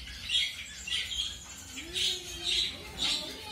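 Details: Colour-mutation zebra finch newly introduced to a new mate during pairing; short bright chirping calls repeated in bursts about every half second, with a faint lower rising tone underneath.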